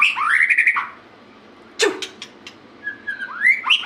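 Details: White-rumped shama in active song: a brief fluty whistled phrase, a pause with a sharp click and a few ticks, then rising whistled notes starting again.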